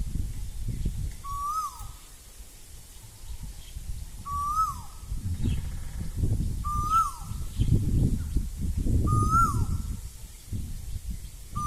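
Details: Asian koel singing in spring (Bohag) in Assam, a loud whistled note sliding up then dropping, repeated about every two and a half seconds over low rumbling background noise.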